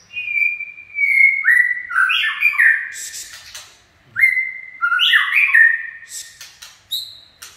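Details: White-rumped shama song, chạy cầu style: a held whistle, then a rich, stepwise descending phrase repeated twice about three seconds apart, with clicking notes between and a short high whistle at the end.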